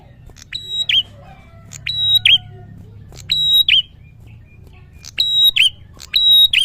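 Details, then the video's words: Singing male prinia repeating a crisp phrase about every one to two seconds: short note, level thin whistle, sharp falling chirp. Several phrases come in pairs, with a low murmur in the background. "prenjak gacor"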